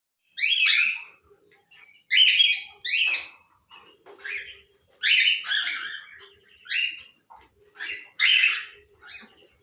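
Cockatiel giving loud, harsh, rising screeches, repeated roughly once a second in bursts, with softer chirps between.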